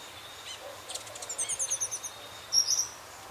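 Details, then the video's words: Rufous-headed Tanager (Hemithraupis ruficapilla) recorded in Belo Horizonte, Minas Gerais, Brazil: very high, thin notes, a quick run of about ten tiny ticks, then a short sharp burst, over soft background hiss. "Saíra Ferrugem (Hemithraupis ruficapilla)"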